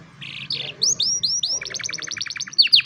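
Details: Young canary singing as training, recorded by cellphone: two short buzzy bursts, then a series of upward-sweeping whistles followed by a rapid even trill of clipped notes and a final bright flourish.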